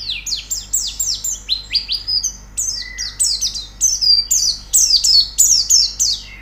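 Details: Rapid White-eye song for training a bird to sing, made of bright, high, downward-slurred whistled notes about four per second, each a quick falling sweep, with one lower drawn-out note midway.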